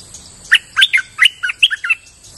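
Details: One quick streak-eared bulbul phrase for luring: seven crisp, bubbly chirps rolling up and down in pitch over about one and a half seconds, with a faint unbroken high whine behind them.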